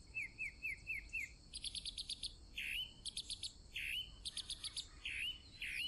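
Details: Varied song of a chalk-browed mockingbird: quick whistled downslurs, then bursts of fast harsh rattling notes alternating with rough, swooping buzzy calls, phrases switching every second or so, with a steady high hiss underneath.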